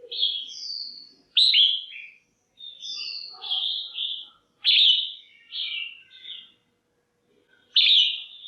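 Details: Female red-whiskered bulbul kept in a cage, calling to excite males or for pairing: a rapid series of bright chirped and slurred whistles in short bursts, some notes sharp and descending, with gaps of about a second.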